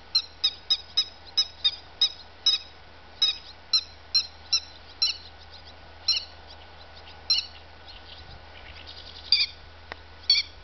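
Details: Grey-headed lapwing giving a long series of shrill, clipped, squeaky notes, rapid and evenly spaced at first, then slowing and becoming irregular, with a faint second caller further off and a low steady hum.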